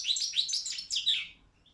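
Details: Balkan goldfinch, Carduelis carduelis balcanica, singing for an internet song championship organised in Serbia; one brief phrase of quick liquid twitters and a falling buzzy note, then near silence.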